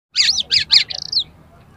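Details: Oriental magpie-robin, a fighting bird in high arousal, singing to provoke other birds: a quick burst of three or four high chattering notes, then a short falling whistled phrase.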